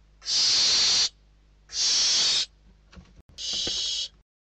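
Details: Barn owl chicks inside a nest in Spain, 21 December 2023, hungry nestlings fighting over a delivered bird. Harsh, breathy hisses roughly a second long, three loud rasps with a softer scuffle between, repeated about every second and a half.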